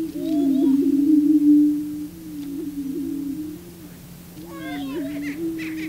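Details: Male prairie chickens courting a female on a booming ground; a loud low boom swells then softens, with a burst of overlapping whoops and cackles near the end.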